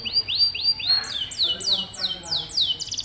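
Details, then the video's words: Singing canary, used as a tutor for young birds slow to sing: clear rising whistled notes repeated roughly four per second, switching to higher sweeping slurs and a closing buzzy trill. "Suara burung kenari bikin hati senang, dan masteran burung kenari muda dan jarang bunyi"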